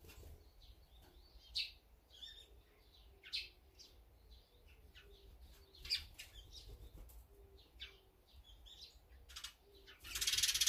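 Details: Mixed wild birds at a feeding spot, among them azure-winged magpies, sparrows, great tits and brown-eared bulbuls: scattered short high chirps and twitters over a low steady hum, ending in a burst of broadband rustling noise.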